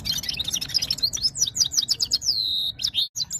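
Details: Powerful goldfinch-style song from a red-fronted serin: fast, high chattering twitters at nearly three notes a second, ending in a drawn-out whistled slur, above a low hum.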